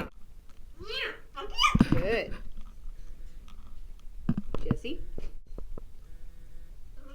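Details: Indoor pet parrot talking, with greetings such as hello and pretty bird exchanged with its owner: a run of raspy, speech-like harmonic syllables, then short clipped utterances and tapping sounds.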